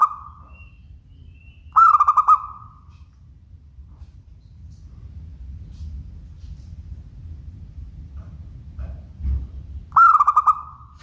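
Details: Zebra dove of local type singing two rolling, pulsed cooing phrases with long trailing notes, spaced about eight seconds apart, plus a fading note at the start and a brief low thump amid quiet background hum.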